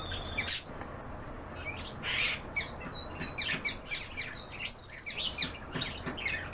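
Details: Canaries singing in a busy chorus of sharp chirps, quick rising and falling whistled notes and short squawky bursts, many overlapping voices without pause.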